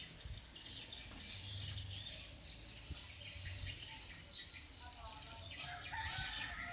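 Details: Wild blue-crowned hanging parrot approaching, giving very high, thin, sharp chirps near the top of hearing, in quick bursts of two to four notes over about seven seconds, with faint lower background sounds and a soft murmur.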